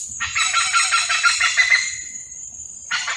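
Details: Hornbills calling while courting: a loud, raucous, harsh call lasting almost two seconds and fading at the end, then another harsh burst begins, over a steady high insect-like hiss.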